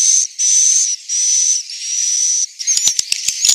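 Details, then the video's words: Central Sulawesi swiftlet roosting call: long hissing bursts with a steady high whistle running through them, ending in a quick run of sharp clicks. "Suara asli, inap walet"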